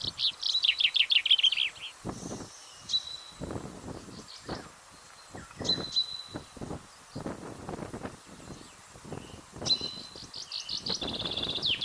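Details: Common chaffinch in Europe, opening with a loud descending trilled phrase, then thin high whistled notes over rustling and low background sounds, and a final rapid trilled phrase near the end.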